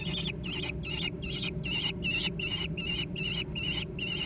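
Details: Young American kestrels in a noisy food fight. A steady run of about ten short, rasping, wavering high calls, evenly spaced at roughly two and a half per second, over a faint low hum.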